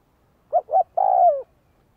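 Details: Single call phrase from a spotted dove being trained as a decoy bird. Two brief, mellow coos lead into a longer, slightly wavering coo that falls in pitch at the end. The background is quiet.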